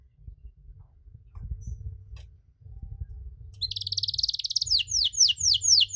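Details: After a few seconds of low room rumble, a canary breaks into a long cengkok song intended to rile other canaries: a fast high trill of squeezed notes followed by slower, sweeping down-slurred whistles.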